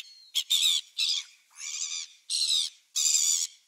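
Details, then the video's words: Gulls on 27 December 2017 calling in loud, raspy, nasal squawks, each about a third to half a second long, separated by short pauses, with one faint thin whistle at the start. "Gulls December 27th 2017"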